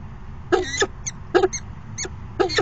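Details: Falcon courtship dance at a nest box, September 2016 afternoon: four grating, slightly drawn-out harmonic calls, each lasting a quarter second, plus a couple of thin short notes between them.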